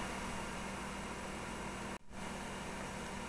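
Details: Continuous broadband hiss like an engine or fan, briefly cut off by a moment of silence.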